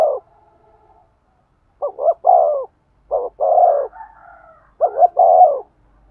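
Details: Spotted dove calling to stir a male: several low phrases of short doubled notes and sustained coos, with a tail of one coo at the start and faint higher drawn tones between.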